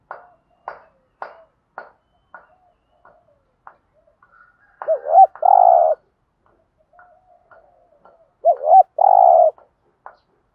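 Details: Spotted dove cooing to stimulate decoy doves to coo back; two soft, low coo phrases a few seconds apart, each a quick wavering double note then a longer drawn-out coo, among light tapping clicks.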